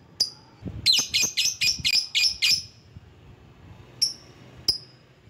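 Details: Lovebird calling to draw out rivals, used as a lure sound: a rapid run of sharp, shrill chirps, about seven in quick succession, then two isolated high chirps after a pause, with faint low background rumble.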